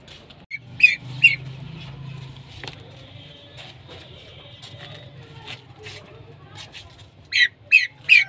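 A hen common pheasant gives short, high, squeaky notes, a pair near the start and a quick run of three at the end, over a low rumble.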